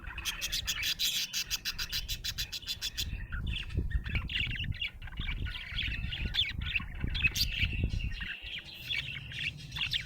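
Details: Budgerigar chirping happily: a fast burst of rattling clicks at first, then ongoing squawky, buzzy warbles and chirps over a rumbling low background.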